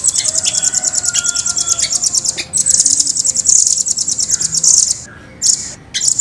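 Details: Long unbroken roll from a velvet-fronted nuthatch, called rambatan: a shrill, tightly spaced chipping trill running several seconds, then a brief pause and a fresh burst.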